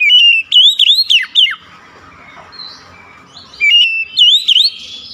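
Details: Oriental magpie-robin belting out clear whistled notes that bend up and down in quick succession, a pause of soft twitters, then another loud wavy whistled phrase.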